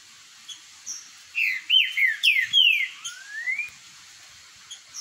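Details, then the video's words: Green-winged saltator in a boiadeiro-style singing dispute, delivering a burst of bright, slurred whistles that swoop down in pitch, ending with a softer rising note and a few faint chirps. "BOIADEIROS travando uma disputa boa"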